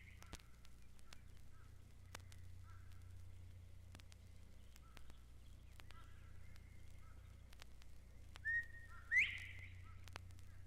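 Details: Eastern Meadowlark on grassy fringes of Mountain Lake Sanctuary, Lake Wales, Florida, giving its far-reaching territorial call: a clear slurred whistle, then a brighter, sharper whistled note, over quiet outdoor hush with faint clicks and hum.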